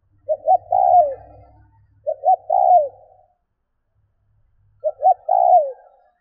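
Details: Spotted dove calling to encourage other doves to call: three phrases of two quick notes and a longer, lower downslurred coo, the first two close together and the third after a pause, over a faint low rumble.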